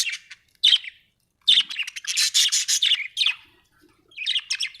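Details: Budgie singing happily in a dense, continuous warble of scratchy, buzzy chirps, with only short breaks and a final run of quick twitters.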